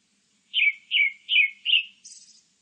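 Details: Grey-backed thrush song: four clear whistled phrases, each sliding downward, spaced about every 0.4 seconds, followed by a thin, high, buzzy flourish. Quiet background.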